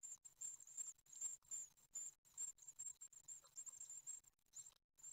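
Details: Great tit nestlings on their 9th day, at a nest in Ostwald on 15 June 2020, give thin, very high hissing begging calls in rapid bursts during feeding, with soft rustling and knocking between them.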